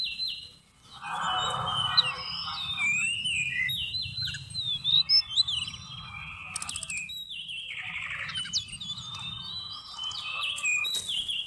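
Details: Seychelles magpie-robin singing in a recording used to lure birds into traps, November 2016: a lively run of varied whistles, quick upslurs and chattering notes, with sharp clicks partway through.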